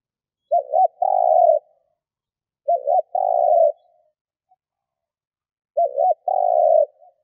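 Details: Cooing of a kept spotted dove used to lure wild doves: three evenly spaced phrases roughly every two and a half seconds, each two short hooted notes then a drawn-out rolling coo, in quiet surroundings.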